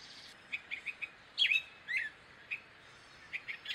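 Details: Gray catbird giving scattered short chirps, then two louder slurred notes, one dipping and one rising, followed by more spaced, squeaky chips against a quiet background.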